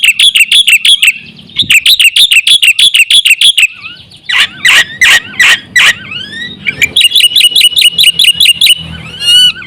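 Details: Black-winged myna lure song made of rapid chirp bursts, then slower loud whistled and squeaky notes, then more rapid chirping.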